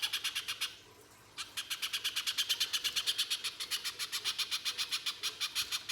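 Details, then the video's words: Pijantung pisang spiderhunter in full harsh song, meant as a lure to make spiderhunters sing: a long, even run of dry, sharp chips, roughly three each second, after a brief gap near the start. "Pijantung Pisang Gacor Mbeset Full Nembak Kasar, Pancingan Pijantung Agar Bunyi"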